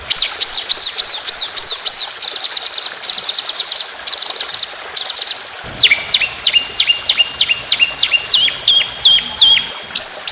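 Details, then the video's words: White-rumped shama song built from rolling 'tembakan' bursts: quick high chattering notes, then a run of descending whistled slurs repeated several times a second. "Masteran Burung Lomba Tembakan Panjang Roll Speed"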